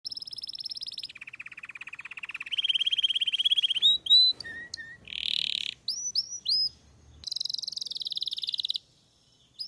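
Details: Belgian canary singing: a fast high trill, a lower rapid rolling trill, then varied phrases of clipped notes, a short buzzy burst and another bright trill before falling silent.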